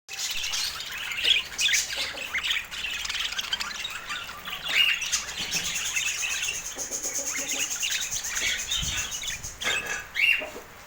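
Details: Pet budgerigars chattering in a steady, busy stream of high, scratchy chirps and warbled twitters, with sharper squeaks near the start, middle and end, overlapping throughout with no pauses.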